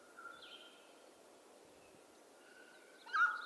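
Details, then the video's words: Mountain quail of western North America: one loud, clipped note bursts out near the end after a quiet stretch of faint humming tone and distant high bird chirps. "Mountain Quail Call"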